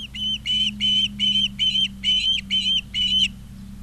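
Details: Osprey at its nest in Charlo, Montana, picked up by a live nest cam on 20 August 2023, 16:04: eight loud, clear whistled notes in an even series, roughly two per second, with a faint low hum beneath.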